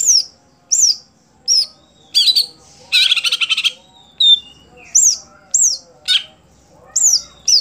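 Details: Greater green leafbird kept in a cage for songbird competitions sings a lively series of sharp arched whistles, one almost every second, broken by a dense rattling trill and scratchy buzzy notes; steady low hum in the background.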